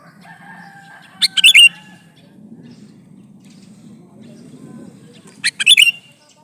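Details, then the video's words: A male sooty-headed bulbul calls for a female, with a brief burst of quick warbled notes repeated about four seconds apart above a steady low background murmur. "suara burung kutilang jantan memanggil betina"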